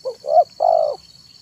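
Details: Zebra dove singing its manggung cooing song in the afternoon, a recording used to lure wild doves: a short quick note, then two longer hoarse mid-pitched coos, over a steady high whine.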